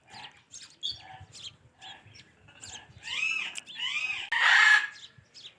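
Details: Ringneck parakeet talking: soft scattered chirps at first, then louder arched, voice-like syllables and a harsh rasping burst near the end.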